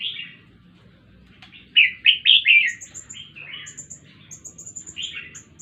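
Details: Red-whiskered bulbul at Jenderam: bursts of loud, chirpy warbled phrases, each note sliding and bubbling, delivered in a quick run of four or five, then softer scattered phrases, with a thin, rapid, high ticking series running over the top.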